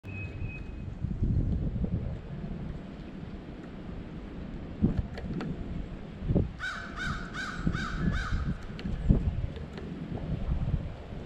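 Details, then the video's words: White-breasted nuthatch giving a quick series of about six nasal, evenly repeated notes near the middle of the recording, over steady low rumbling background noise with scattered knocks. "White-breasted nuthatch"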